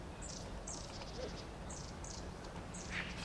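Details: Japanese pygmy woodpecker (Yungipicus kizuki) that had sat very still, then suddenly became active and moved around, calling: faint, high, buzzy notes, about five in three seconds, over a steady low background rumble.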